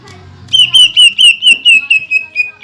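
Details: Greater green leafbird performing the tight, rapid 'tembakan rapat' phrase meant to provoke other leafbirds: around ten loud, even, slightly descending whistled notes fired in quick series, preceded by a faint low hum.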